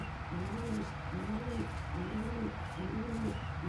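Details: Kept pigeons, a helpless squab gulping crop milk fed from a parent's crop; low, hoarse arching notes repeated about once a second in a steady rhythm, with a low background hum.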